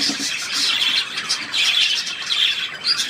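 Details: Budgerigar on 3 April 2017 giving a steady, rapid chatter of shrill chirps and short squeaky notes that swell and fade in irregular waves.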